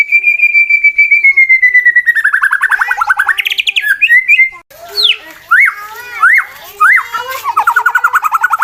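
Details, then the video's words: A male competition white-rumped shama gives a fighting song meant to provoke rivals. A long, gradually falling whistle dissolves into a rapid trill. Sharp peaked whistles follow, and the song ends in another fast trill. "MURAI BATU LOMBA NGAJAK LAWAN TARUNG, EFEKTIF MANCING EMOSI TARUNG MURAI LAIN"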